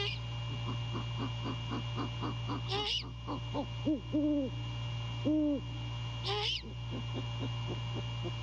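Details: Great horned owl pair courting at the nest at night, January 2022, the male calling to his mate: quick pulsed notes, two sharp high squeals, and a pair of long level hoots amid constant low electrical hum.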